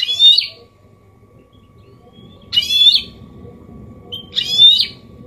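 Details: A goldfinch mule (hybrid) sings a clean Malaga-copy song used to stimulate males to sing and to tutor chicks: three short bursts of bright, liquid twittering, each about half a second, two seconds apart, over a faint low hum.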